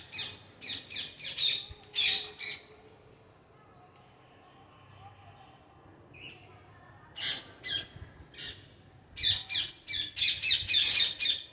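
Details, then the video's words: Parrots giving bursts of rapid, grating squawks at the start and end, with a quieter stretch of faint, softer calls between. "Parrots making their sounds"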